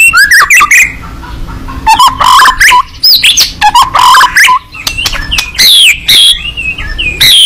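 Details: White-rumped shama, fighting bird singing with open beak: fast chattering bursts, mimic-like scratchy notes and clear descending whistles, loud and varied, separated by brief gaps.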